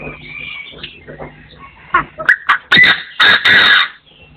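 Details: A partridge crowing in forest in 2024, a thin whistle at the start, then short harsh notes speeding up into several loud, coarse, drawn-out rasping calls before the sound cuts to quiet.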